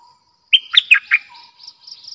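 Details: Bulbul kept as a decoy bird, singing a short burst of four loud, chirpy, warbled notes in quick succession, with a steady high insect buzz and faint pulsing chirps behind.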